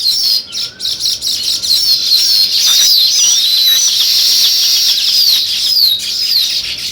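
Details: Sparrows chirp in quick irregular bursts at first, then merge into a loud, continuous twittering chorus of high, wavering notes.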